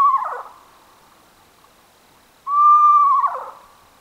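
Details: North American owl calling twice: a tone that drops into a rough, quavering descending whinny, then a longer steady mid-pitched note that breaks into a wavering downward slide.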